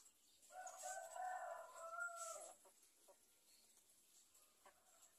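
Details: Free-range village chickens on a farm: a rooster gives one drawn-out crow of about two seconds, steady and rich, ending abruptly, followed by a few faint scattered clucks in a quiet background.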